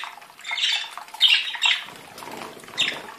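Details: Budgerigar song from a group of budgies: raspy, chattering phrases with a few sharp squeaks. Three or four loud bursts are broken by softer, grating twitters.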